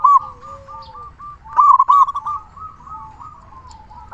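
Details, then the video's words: Local zebra dove singing, used to lure and excite other zebra doves. A quick coo at the start, then a louder run of rolling staccato notes, followed by soft drawn-out cooing. "Perkutut lokal gacor suara besar cocok untuk pancingan burung perkutut agar cepat bunyi"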